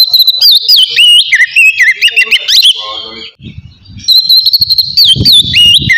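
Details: Oriental magpie-robin giving ngeplong song in a relaxed manner, aimed at rousing emotion and breeding drive: looping whistled notes and chirps, a short break with low rustling, then the whistling resumes strongly.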